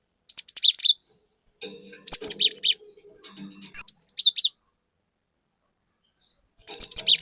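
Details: Loud 'gacor nembak' song of a cinereous tit, used as a lure for untrained birds: clusters of four or five piercing high chirps, and one long level whistle ending in falling notes, with short silent gaps.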